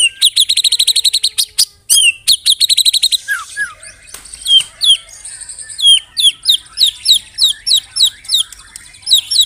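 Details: White-rumped shama giving canary- and cililin-filled song: a fast machine-gun rattle of high notes, a second rattle, low slurred whistles, then repeated hooked chirps at an even pace.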